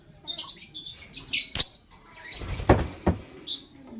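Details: Male lovebird choosing a partner gives short, bright chirps in clusters near the start and again at the end, with knocks, rustling and wing movement between the calls.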